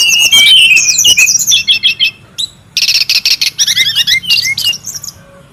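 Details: Wild brown-chested jungle flycatcher, noisy: a rapid jumble of high whistles and trills, a short gap, then fast repeated chirps and downslurred whistles in a steady stream.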